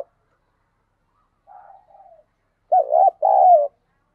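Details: Caged spotted dove serving as a lure for wild doves: faint low cooing first, then a loud burst of a stuttering arched coo and a long level coo that tails downward.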